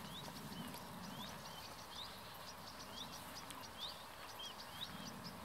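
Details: Common reed warbler perched very close in the reeds along a medieval drainage canal near Kockengen, Utrecht province; rhythmic, repeated rising chirps about twice a second, set against steady rushing background noise and low rumble.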